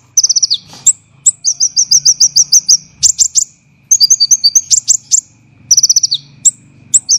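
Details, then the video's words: Olive-backed sunbird dense, rough 'tembakan' song for training cage songbirds: a falling rapid trill, a long even string of bright whistled notes, harsh chip clusters, paired whistles, and another descending trill, with faint low hum. "MASTERAN KONIN tembakan rapat dan kasar UNTUK ISIAN"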